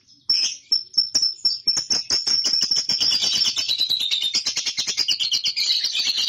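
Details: Ngekek long chatter from a young lovebird, used as a lure to set off chattering: a few high whistled notes open into a continuous fast, buzzy, shrill stream of pulses that slowly drops in pitch.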